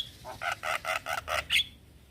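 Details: Male Javan myna calling to young companions, giving six nasal, harsh squawking notes spaced evenly about every fifth of a second, ending on a higher, thinner note before quiet.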